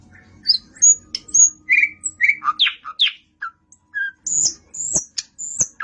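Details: A nightingale delivers varied song: mixed whistled, slurred and chirping notes at different pitches, some very high thin whistles near the end, with short pauses between.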